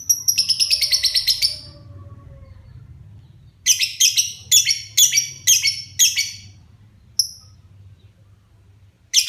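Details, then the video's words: Pet lovebird, a child's favourite bird, starting to sing in full voice: a long shrill chattering burst, then a pause and a run of harsh high chirps in quick succession, with a faint low hum beneath. "Burung LB mulai gacor"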